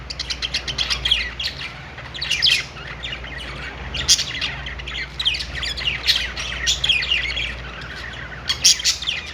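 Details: Chattering flock of budgerigars perched in a pet store, a steady stream of bright, scratchy tweets and warbled notes in loose bursts, busiest around the middle and end, over a low background hum.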